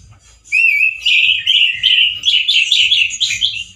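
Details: A male orange-headed thrush sings loudly and harshly in the manner of a wild bird, starting with a sustained whistle that rises into a fast, scratchy warble of jumbled high notes.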